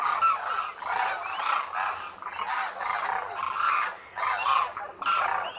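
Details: Wintering flock of demoiselle cranes, koonj in local speech, at a Khichan lake in the Thar Desert, India; a steady chorus of throaty, rolling croaks from many birds, pulsing roughly once a second.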